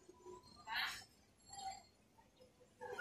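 A myna utters a few brief, speech-like fragments: a harsh raspy burst, some soft tonal syllables, then a sharp rising whistle at the end.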